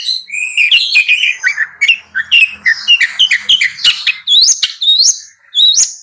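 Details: Long-tailed shrike song: a dense, unbroken run of varied chattering and squeaky notes, with rising whistled slurs near the end, all in a high register with no other sounds.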